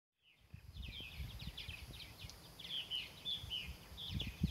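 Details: At Cedar Point, North Carolina, a swallow's rapid twittering song of chirps and short whistles, steady and busy throughout, over low rumbling wind noise.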